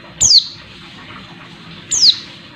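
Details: Female Oriental white-eye giving a call meant to excite males: two bright, very high notes that sweep steeply downward, about 1.7 seconds apart.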